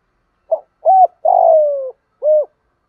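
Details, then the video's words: Spotted dove giving the thúc gù decoy coo used to coax wild-caught or silent doves into calling: a short note, a level hollow coo, a long falling drawn-out coo, then a final rounded coo. "Tiếng THÚC GÙ chim cu gáy mồi bài bản dùng tập chim bổi hay lâu năm không chịu gáy"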